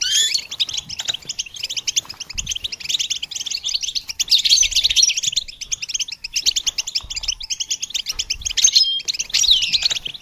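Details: Songbird training track of goldfinch song: sustained loud, dense twittering and trills across the whole stretch, with occasional whistled slides and tangled flourishes.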